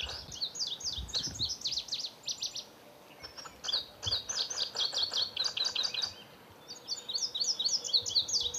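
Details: At their nest, indigo buntings utter dense runs of sharp, high chirping notes in bursts separated by brief pauses, over faint low background noise.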